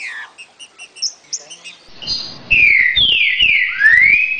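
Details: "60 boi" song of a green-winged saltator, a style used to teach young birds: a run of soft evenly spaced chip notes, then loud clear whistles that slide down twice and finish with a long rising note.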